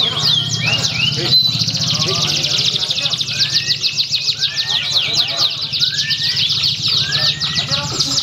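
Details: At a Pringsewu singing contest on 22 September 2019, a canary delivers a long, fast rattling trill of tightly repeated notes, with occasional rising whistles over it. Chattering crowd voices sit underneath throughout.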